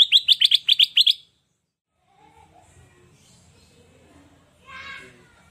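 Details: Sooty-headed bulbul song, used to lure and tutor other birds: a rapid run of about nine sharp, bright repeated notes lasting just over a second, then near silence and one softer, rougher note later.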